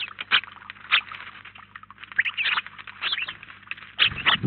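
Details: House sparrows in a flock at a feeder in Collado Villalba call with loud, separated chirps over softer chatter, a few strong notes clustered near the end.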